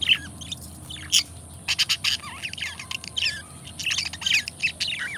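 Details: Pair of pet budgies chatters quickly, squawky chirps and twittery notes running almost without a break, with soft background noise.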